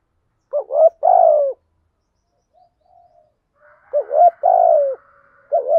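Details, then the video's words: Lure spotted dove cooing to attract wild doves. It gives a quick double coo followed by a longer mellow note, then a pause of about two seconds with faint soft sounds, before the same pattern returns. "tiếng chim cu gáy kích bổi nhanh nổi"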